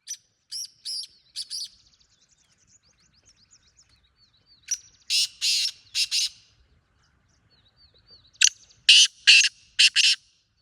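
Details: Black francolin calling: short groups of about four harsh, grating notes repeated a few seconds apart, with thin high whistled notes from another bird between the bursts; otherwise quiet.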